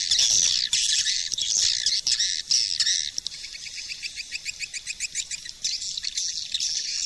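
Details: Shrill swiftlet squeals open this 2020 lure call, giving way to a neat run of quick, evenly spaced chirps, then more dense twittering.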